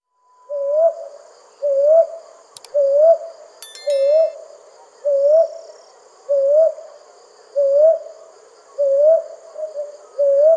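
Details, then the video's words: Brown hawk owl calling at night: a low, mellow, slightly rising hoot repeated about every 1.2 seconds, nine times in a steady series. Brief faint high tinkling sounds occur early on, with a thin constant high hum behind. "কাল পেঁচার ডাক | Brown Hawk Owl Horror Sound at Night | Hawk Owl Call"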